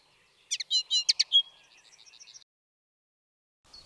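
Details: Common Linnet song in playback: a quick burst of varied twittering and chattering notes with a short whistled slur, then a soft rapid trill, after which it falls quiet.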